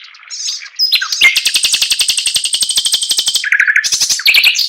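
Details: Chinese hwamei song: a few short notes lead into a long, high, very rapid trill lasting about two seconds, followed by lower whistled phrases and a final burst of notes.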